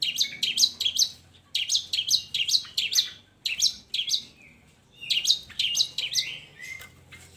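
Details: Long-tailed shrike singing, meant to prompt lazy shrikes to sing: harsh, rasping phrases in quick clusters separated by short gaps, a low rumble underneath.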